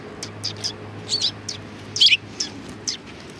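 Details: Sparrows at a Tenmangu shrine in Japan in February 2020: a busy series of high chirps and twittering notes, some sliding downward, with one louder, stronger chirp near the middle and a faint low hum underneath.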